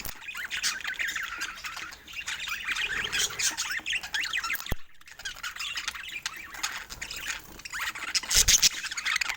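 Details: Pet budgerigars in steady, busy chatter of scratchy, squawky high notes running almost without pause, with a sharp click midway.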